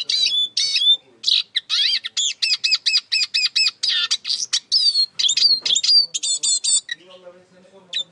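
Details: Eurasian siskin delivering a lively twittering song of rapid, evenly spaced high notes and down-slurred whistles, about two per second, with a soft low murmur late in the recording.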